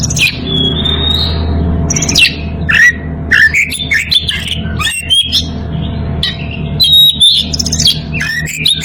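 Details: Breeding-condition Oriental magpie-robin calling a rival, delivering a varied run of whistles, quick chirps and upward-sweeping notes in rapid sequence, with brief gaps between phrases and a low hum underneath.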